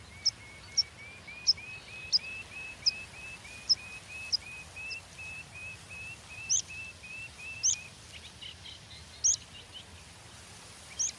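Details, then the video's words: Pipit, called spioncelle, giving a series of short, sharp, high calls repeated roughly every half second over a faint steady background, while another bird sings a long run of even, whistled notes throughout. "Pipit spioncelle"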